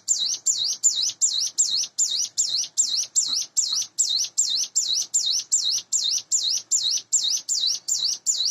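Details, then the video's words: Morning song of a captive sunda bush warbler raised by hand, around eight months old: an unbroken run of sharp, high, dipping whistles repeated evenly about two and a half times a second. "suara ciblek gunung / cigun dipagi hari"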